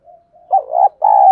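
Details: Decoy female spotted dove luring wild birds: soft lead-in coos then a clipped note and two rolling hoarse coos, ending abruptly.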